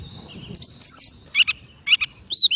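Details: Short burst of White-rumped shama song used to call wild birds, high rapid chirps and buzzy doublets followed by a rising slurred whistle.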